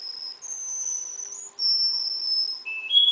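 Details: A juvenile Russian singer canary, from stock imported from Russia and kept in Miami, Florida, sings. Long pure high whistled tones are held steady, each shifting slightly in pitch, and a lower whistle ends the phrase.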